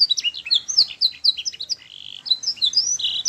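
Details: Canary singing a master song meant to train juvenile canaries: about four sharp chirps per second in a quick, slightly irregular sequence, then a short soft buzzy trill before more high whistled notes.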